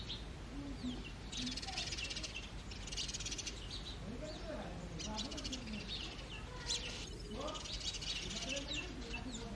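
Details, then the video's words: A flock of house sparrows in early morning chirps in busy, overlapping bursts of short, bright notes, almost without pause, while low human voices murmur in the background. "Natural Sparrows Chirping Sounds"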